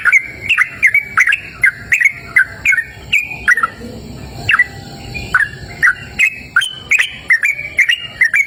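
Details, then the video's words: In a cool, open natural setting, a sooty-headed bulbul sings a brisk series of sharp, slurred chirps at close to three per second, broken by a brief quieter gap with faint low sounds. "Suara Merdu Burung Trucukan Gacor!"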